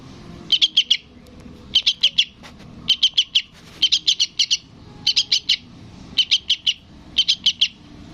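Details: Young sooty-headed bulbul begging for its parent with clipped, high chirps in tight groups of three or four, repeated roughly every second across seven bursts, background quiet.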